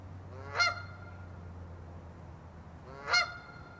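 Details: Two separate honks of a Canada goose, each a brief rising nasal note with strong overtones, spaced about two and a half seconds apart over steady low background hum.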